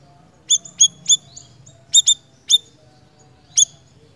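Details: A lively singing Siri-siri gives sharp, thin, high tsip notes, single or in quick pairs, spaced irregularly with pauses of up to a second, against a quiet low background hum.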